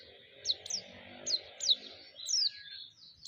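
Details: Lure song of a white-eye, used to provoke and excite other white-eyes: sharp, very high, downslurred whistled notes in a loose run of about six, with fainter blurred twitters trailing off and a soft murmur underneath.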